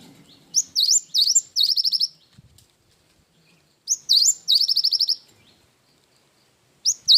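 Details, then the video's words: Tutor song from an actively singing cinereous tit with isian wingko: looping high whistles and quick trills delivered in bursts about three seconds apart, the start of another phrase at the end. "Burung gelatik batu gacor isian wingko"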